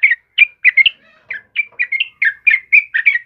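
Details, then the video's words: Yellow-vented bulbul in full, lively voice, played to prompt and tutor caged birds: a fast, chattering run of short bubbly notes, about a dozen in three seconds, mid-pitched and slightly slurred, with no other clear sounds. "SUARA TRUCUKAN KEBO GACOR"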